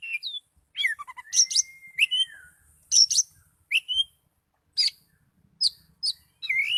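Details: Kacer, the Oriental magpie-robin, in full gacor song and highly excited: sharp whistled notes, a long level whistle, harsh buzzy bursts and upward-sweeping chirps, phrases coming roughly every second with brief gaps.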